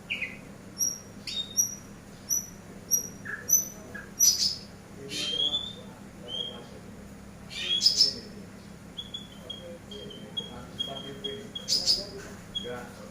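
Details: Eurasian tree sparrow used as a master recording for bird training: a long run of brief high whistled chips, evenly spaced, mixed with harsher scratchy bursts and a later string of rapid piping notes.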